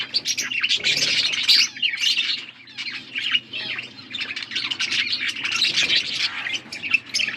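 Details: Budgerigars, blue, chattering while feeding each other in August 2024: loud, continuous raspy warbles and shrill chirps in uneven bursts, over a soft low hum.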